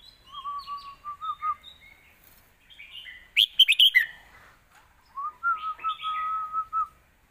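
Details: Score-winning song of a red-whiskered bulbul, southern master style, complete in tone and phrasing and intended for teaching young birds; steady whistled notes flow into a rapid burst of bright chirps, then another level whistled run.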